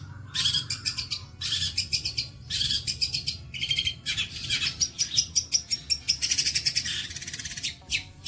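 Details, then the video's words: A long-tailed shrike's song in the bolo panjang style, meant for training other songbirds: bursts of scratchy buzzy chatter separated by short pauses, ending in a longer phrase with thin high whistled notes mixed in. "MATERI ISTIMEWA BOLO PANJANG"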